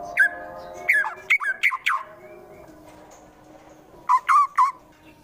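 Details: White-rumped shama, Wonosobo, Central Java, giving the harsh 'tembakan kasar' notes meant to enrage rival birds into fighting: a volley of loud, squawky, downslurred calls, a quiet gap, then three more abrupt harsh notes.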